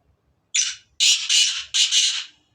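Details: Sindhi black francolin calling: a harsh, grating opening note, then two rasping double-note bursts in quick succession, all loud and scratchy against a quiet background.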